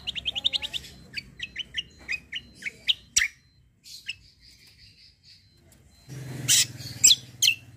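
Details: White-eye in kecial kombo style, a lively singing bird used to tutor others: fast series of short high chirps, then scattered notes and soft repeated whistles, ending in a loud burst of sharp chattering notes.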